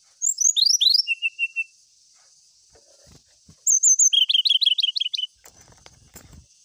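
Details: Brown-chested jungle flycatcher, rival-seeking song: a cascading whistled phrase ending in a short trill, then after a pause a high note leading into a quick run of repeated bright whistles; faint clicks follow.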